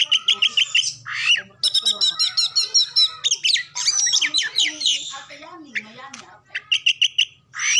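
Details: Oriental magpie-robin in full song, used as a lure for birds reluctant to sing; fast repeated chip series, rising whistles and buzzy trills broken by short pauses.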